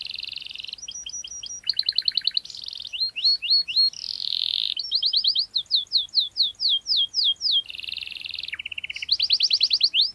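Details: Canary song, a recording meant to provoke a rival and teach young birds to sing; a long varied run of sharp high chirps, rapid rolled trills and buzzy notes, repeated downslurred whistles in series, clean background.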